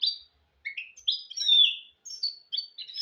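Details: Song of a goldfinch and canary hybrid, used to teach goldfinches and canaries to sing: separate bright phrases of sliding whistles, buzzy notes and twitters, broken by brief pauses.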